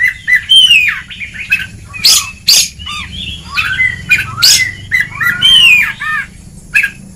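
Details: Oriental magpie-robin song in ngeplong style, played to train unmotivated birds; sweet whistled phrases, slurred falling notes and occasional sharp high chips with short pauses.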